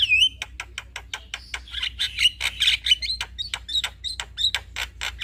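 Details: Male Javan myna chatter used as a lure for other mynas: fast dry clicks mixed with buzzy harsh notes and short high whistles, steady and busy throughout.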